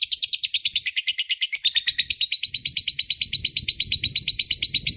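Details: Lovebird in full voice giving its long ngekek trill, a recording meant for tutoring magpie-robins and shamas: a fast, even chatter of sharp high notes, about six per second, running unbroken for the whole stretch, with faint low rumbling underneath.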